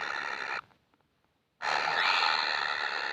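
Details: Baby kingfisher begging for food, seemingly never full: a harsh, hissing rasp with stacked buzzy overtones, broken by a silent gap of about a second before the rasping resumes, louder and steady.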